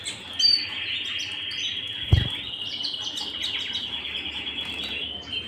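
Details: Canary singing at home: a few chirps give way to a long, even, sustained trill held at one high pitch, interrupted once by a brief knock.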